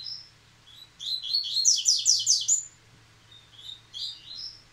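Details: Yellow-bellied seedeater back in song after the moult, delivering a rich burst of quick, high warbled and buzzy notes for about two seconds, followed by softer whistled fragments.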